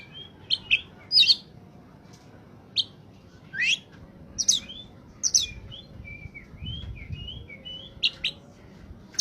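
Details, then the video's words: Oriental magpie-robin song in top form, meant for luring young untrained birds: scattered high chirps and upslurred whistles, then a quick run of soft falling notes near the middle, over a quiet low hum. "suara burung Kacer saat sedang on fire!!!! pancingan burung bakalan/ pikatan"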